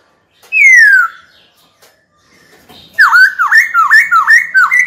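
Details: Caged white-cheeked laughingthrush sings to challenge a rival: one loud whistle gliding down, a pause, then five quick, sharply dipping and rising whistled notes in a steady run.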